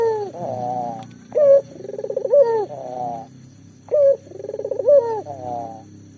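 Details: Local collared dove used to get silent doves calling: pulsed, quavering low coos with sharp higher notes, repeated in two phrases, over a steady low humming background.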